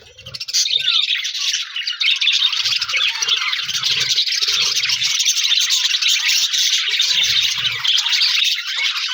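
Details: Aviary budgie colony, Australian parrots with a new budgie friend, January 4, 2026: after a quiet half-second start, a thick wall of high twittering chatter continues, with soft low thumps scattered through.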